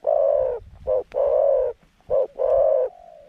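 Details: Zebra dove used as a caged decoy in a trap to lure wild doves, singing a middle-pitched voice: rolling coos in five bursts of varying length, some long and sustained, others short, with faint low rumble beneath.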